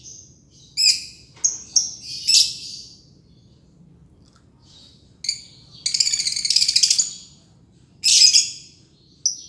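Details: Green lovebird calling in ngekek style, with short shrill chirps in quick groups, a long quiet gap, then a drawn-out rasping trill and a final sharp squeak.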